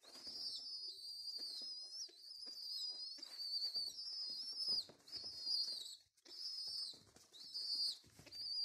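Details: Orphaned homing pigeon chicks, taken from a mosque minaret during restoration and hand-fed without their parents, give thin, high, squeaky whistles, drawn out and wavering with brief breaks, over soft handling and clicking noises.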